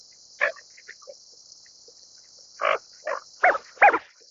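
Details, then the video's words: Greater scaup, one rough note followed by faint soft sounds, then four harsh rasping calls in quick succession toward the end, over a continuous high-pitched hiss. "斑背潛鴨(鈴鴨)/Greater Scaup"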